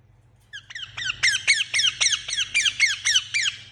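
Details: Indian ringneck parakeet, kept as a pet, giving a rapid series of about twelve harsh, descending squawks, roughly four per second, with steady low hum behind.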